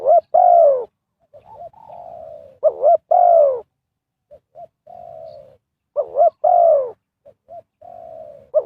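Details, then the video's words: Luring coos of a spotted dove used in bird trapping, a repeating cycle of a quick two-part note, a loud descending coo, then small clipped notes and a level mellow coo, heard three times. "Cara Pikat Tekukur memanggil Burung Liar,Bẫy cu gáy bằng mồi trồn"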